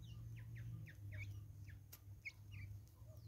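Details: In South African woods, a flock of Natal spurfowls gives a fast run of scratchy downslurred notes, then a pause and a few more, with a sharp click and a low background drone.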